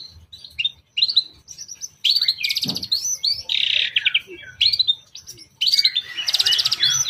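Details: Long-tailed shrike singing a lure song intended to stir other shrikes, 'toet toet' type with rich borrowed phrases: quick high whistles and rapid buzzy trills alternate with harsh chattering bursts, loud and continuous throughout.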